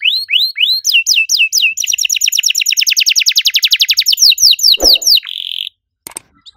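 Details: Active canary in long song: a series of upward-sweeping whistled notes, then a rapid even trill of chirps about four per second, more swept whistles and a brief buzzy rattle before falling silent, with a faint knock.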